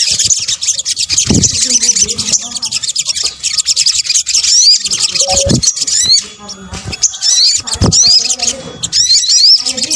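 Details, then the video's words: Sunbird calls combined into a lure recording: dense, rapid high twittering with thin rising and falling whistled sweeps, broken by brief gaps and a few low thumps and knocks. "kombinasi suara sogok ontong"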